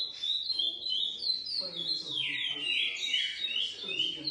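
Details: Captive-bred GP x Coimbra lesser seed finch singing high whistled notes, with a broad descending slur midway before quick repeated sliding notes return, over low faint sounds.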